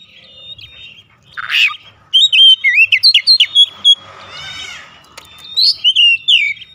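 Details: Oriental magpie-robin lure song for rousing other magpie-robins: a harsh burst, then a rapid stream of clear whistles and sharp slurred notes, a rasping buzzy note midway, and a final loud whistled phrase.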